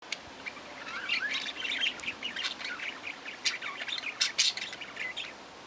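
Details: Budgerigar chatter: a busy run of quick, warbling chirps and squeaky notes, rising and falling in pitch, with louder bursts near the end over a soft steady background hiss.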